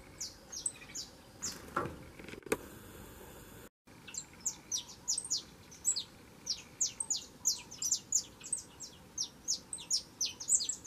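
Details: A young saffron finch sings at length. After a brief rustle and a gap, it delivers a fast, steady run of sharp, high, down-slurred chirps, several per second, continuing to the end.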